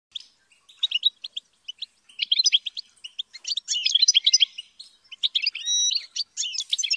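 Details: Captive-reared European goldfinch being trained to sing: rapid twittering song of bright chirps and short trills broken into bursts with brief pauses, becoming denser and more jumbled midway, then trailing off in scattered notes.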